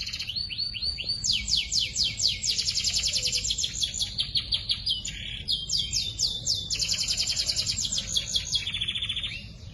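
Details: Young canaries in a compilation of lively song used for training; fast rolling trills of descending notes above 2k, long sustained rattling phrases with brief pauses, low background hum.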